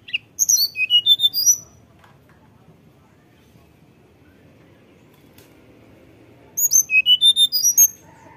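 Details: Tledekan gunung giving flute-like song used as a lure for untrained birds: two bursts of quick, high, zigzagging whistled notes separated by several seconds of near silence.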